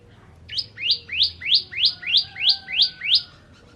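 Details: Bar-winged prinia, known in Indonesia as ciblek or Javan prenjak, singing a rapid series of nine bright, sharply rising chirped notes, each sweeping upward and repeated about three times per second, with a faint low hum beneath.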